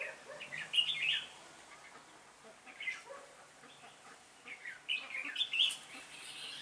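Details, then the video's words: Red-whiskered bulbul lead decoy calling its flock during trapping, 26 November 2017; short bright warbling phrases at the start and a livelier chattering run toward the end, with quiet between. "Bẫy chào mào Đầu đàn dẫn 20 mạng"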